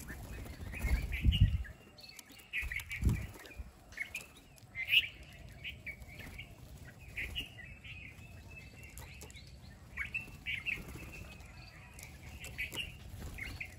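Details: Small birds, possibly common myna, red-vented bulbul or Indian pied myna, give short chirps and twittering notes at intervals, with low rumbling thumps and background noise.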